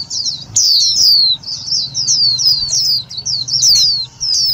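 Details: High-pitched, rapid chatter of downslurred thin notes from an Indian white-eye, a loud clear lure sound for trapping and provoking other white-eyes; notes follow almost without break.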